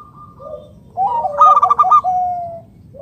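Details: Loud local wild-type zebra dove, used to draw other zebra doves into calling: a soft low coo, then a strong rapid stuttering roll of pulsed coos lasting about a second, easing into a drawn-out steady tone.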